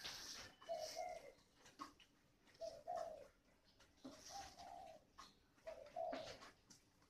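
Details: Spotted dove kept as a decoy bird with the 'còi' voice style, from Ba Vì, Hanoi, Vietnam: four short, low cooing phrases roughly every 1.7 seconds, each a quick double note, over faint background rustles and clicks.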